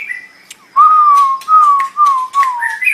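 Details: White-rumped shama (murai batu) tutor recording for training other birds: four low, clear, slightly wavering whistles, each about half a second, interspersed with sharp high clicks.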